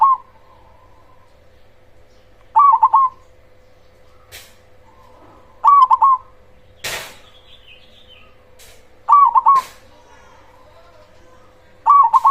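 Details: Zebra dove of the black cemani type with a loud voice, singing as a lure to provoke other zebra doves: short bright cooing phrases of three or four quick notes about every three seconds, softer cooing between, a steady hum and a few clicks.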